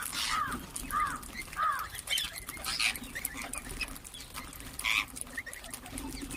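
Rose-ringed parakeets give short, hoarse, rising-and-falling chirps about once a second, with sharper screeches mixed in over a steady background hum.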